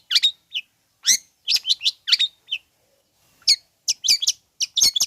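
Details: Provocation song of a long-tailed shrike to make listless birds respond: scratchy, high warbled phrases and chirps in uneven groups, with a short pause midway.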